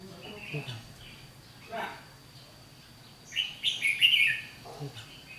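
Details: Red-whiskered bulbul at a trapping fight, 7 July 2016, singing an intimidating ché song at a decoy bird: a single burst of bright, warbled notes after a quiet start, with faint low voices of men nearby.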